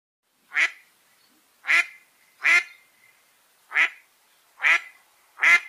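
A duck gives six loud, harsh, nasal quacks, roughly one per second, slightly uneven in spacing, with nothing else audible.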